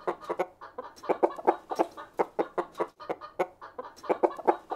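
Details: Chickens on a village farm clucking steadily: dense, short throaty clucks repeated several times a second in uneven bursts, some louder notes standing out, with no other clear sounds.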